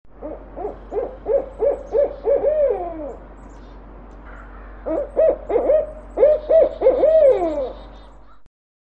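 A barred owl gives two rhythmic bursts of deep, barking hoots, each closing with a drawn-out note that slides downward, over a faint low hum.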